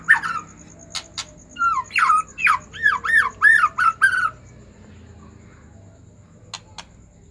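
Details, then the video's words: White-rumped shama in an agitated state, played to encourage other shamas to sing: a string of about eight harsh, arching slurred notes roughly twice a second, with scattered clicks before and after. "pancingan murai batu emosi"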